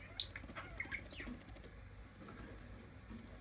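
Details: Two-day-old, newly hatched quail chicks give a few thin, high peeps and one quick downward-sliding cheep in the first second, then only soft rustling and low background rumble.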